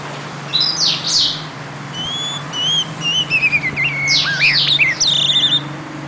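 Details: Oriental magpie-robin song: after a quiet start, a busy run of sharp high sweeps, thin whistles and warbled slurs, then twisting downward notes and fast trills, with a steady low hum behind.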